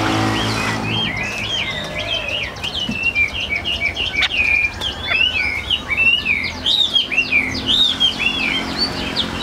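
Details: Chinese hwamei in a cage sings a steady stream of looping, warbled whistles, repeated again and again. The bird is moderately loud over a steady background hum.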